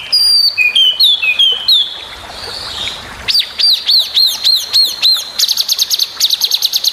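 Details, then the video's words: Training recording of a long-tailed shrike singing a varied, sharp, high-pitched medley: sliding whistles, then a run of rapid arched notes about five per second, ending in sharp chatter. "masteran srdc full variasi tajam"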